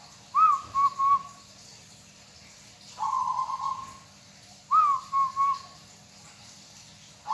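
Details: Local zebra dove kept by a hobbyist, cooing its song: soft, low whistled coo phrases, each a brief rising note followed by two or three fluttering notes, repeated about every two seconds over quiet room hum.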